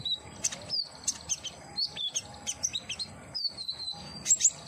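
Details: Captive common iora song meant to draw out singing: high sliding whistles, some long and drawn out, mixed with brief sharp chirps at irregular intervals.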